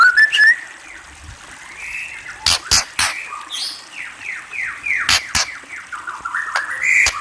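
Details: White-rumped shama giving a rapid run of repeated downward-slurred notes after a few whistles, with sharp clicking snaps scattered throughout.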